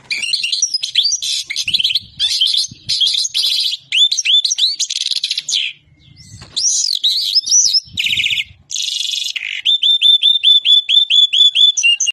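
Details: Goldfinch singing tolaa-style notes, energetic twittered phrases and buzzy rattles, looping upslurred chirps, ending with a steady series of about a dozen identical rising notes repeated quickly.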